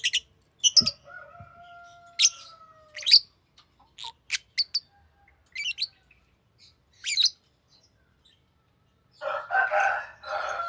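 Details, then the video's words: Short, shrill chirps from a green lovebird come in irregular bursts; a lower sustained whistled tone runs early on, and a noisy, lower-pitched rasping sound closes the recording. "Green Lovebird Chirping Sound"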